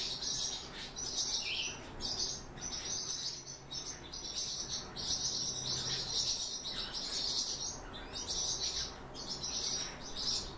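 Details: Song thrush nestlings beg when the parent arrives with food: a continuous high, hissing chorus that swells in repeated pulses, with a faint low rumble beneath.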